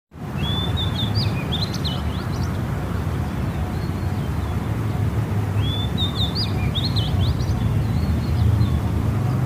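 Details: Small bird singing in the morning: two short, high, chirpy phrases of quick rising and falling notes, about five seconds apart, over steady loud low rumbling background noise.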